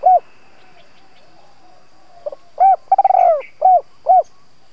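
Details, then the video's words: Spotted dove used as a decoy to lure wild doves, cooing and calling: a short hoarse coo, then a quick stuttering run of notes into a longer drawn coo, followed by two clipped coos. "Tiếng chim cu gáy (THÚC - GÁY GỌI) kích bổi hiệu quả"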